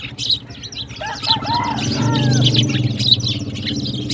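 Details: High, choppy sparrow chirps keep going as the birds drink and play with water in the morning. A few clearer whistled notes stand out, over a low steady hum.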